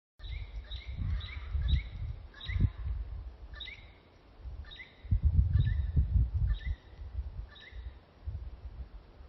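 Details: Bird song in a forested mountain valley in Tasmania, Australia, in June 2025 during constant rain: short, bright, slightly falling chirped phrases about once a second over a steady low rumble of rain and wind.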